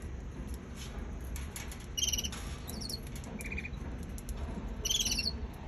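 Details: Baby canary producing brief high ticking trills in clusters, one near the start of the second half and a louder stacked burst toward the end, with a short mid-pitched whistle between, over constant low hum.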